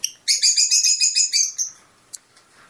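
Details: Fischer's lovebird singing for mating stimulation, a rapid string of about ten shrill, evenly pulsed chirps in just over a second, then near quiet with one faint click.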